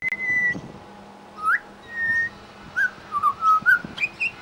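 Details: Australian Pied Butcherbird mimicking local sounds in suburban Brisbane: clear, pure whistled notes, some long and level, others short and upslurred, in a loose run with a few sharp clicks between them.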